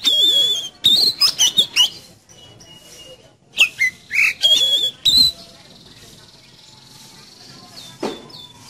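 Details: Energetic Oriental magpie-robin song used to coax a kept bird into singing: rapid clusters of bright whistled and chattering notes, a quiet stretch, another run of varied whistles ending in a held high tone, then one faint note.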